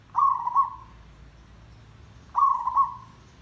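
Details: Zebra dove lure song for trapping, described as dense and lively: two rolling, bubbling coo phrases about two seconds apart, each a quick burst of purring notes that fades downward.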